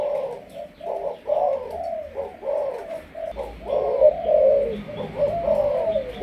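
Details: Malaysian spotted dove kept as a decoy bird, cooing steadily in overlapping hollow, low notes that rise and fall in an almost unbroken series. Soft background noise.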